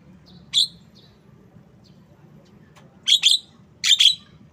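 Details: Harsh chirps from a Javan myna, one single note followed by two rapid doubled bursts, with faint softer notes and a low background hum.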